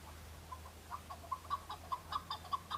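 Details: Chukar partridge male in fighting season answering rivals; short chuk notes starting sparse and growing louder and more regular, about five per second by the end, over a low hum.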